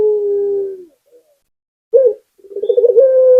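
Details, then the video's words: Local puter (Barbary dove) in lively song: a long falling coo fades out, followed after a pause by a short clipped note and a bubbling rolled trill that settles into a held tone. "Suara Burung Puter Gacor"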